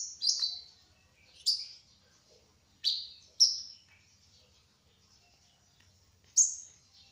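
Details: Kolibri ninja sunbird, trotol type, giving sparse, high, thin chirps, each sharply falling, spaced one to three seconds apart with quiet in between.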